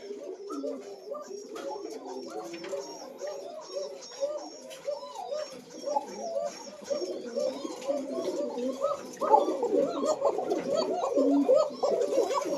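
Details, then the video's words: Koka pigeons, a breeding pair with a grown chick kept in a farm loft, recorded on April 30, 2025, noted for a thin-voiced call: many overlapping low, throaty coos repeated about twice per second, with faint background voices and rustling. "চিকন ডাকের কোকা কবুতর | Koka Pigeon"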